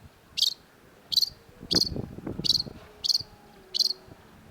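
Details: Long-tailed shrike (cendet) giving short, harsh, high notes repeated about every 0.7 seconds, six in a row, over low, soft background rumbling.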